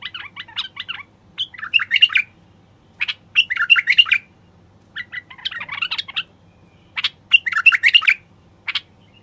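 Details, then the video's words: <caption 2> "تغريد خاص لتحفيز البلابل الوحشية القافلة"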